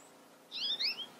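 A European goldfinch gives a quick burst of bright, high twittering notes, a few rising and falling slurs packed into under a second, over quiet background.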